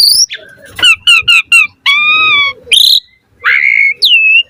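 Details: Varied song of an Asian pied starling, played to stimulate other starlings into singing: repeated chattering notes, a steady buzzy whistle, harsh squawks and a closing upslurred whistle.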